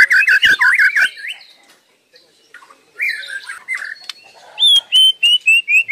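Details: White-rumped shama song opens with quick chattering notes, fades to near silence, then returns with warbled phrases and ends on a series of clear, evenly spaced high whistles.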